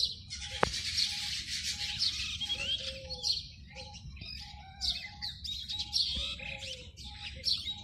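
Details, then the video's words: Male oriental magpie-robin singing from a treetop in courtship, calling a female to pair and announcing territory, a varied run of sweet whistles and sharp chirps with lower notes repeated about once a second, amid sparrows, starlings, weavers, bulbuls and parrots. "Courtship Call Of Oriental Magpie Robin"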